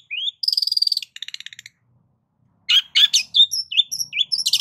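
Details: Lure song of a long-tailed shrike with varied fill: a rising whistle, a harsh buzzing rattle that fades, a short pause, then loud mixed chirps and warbled slurred notes.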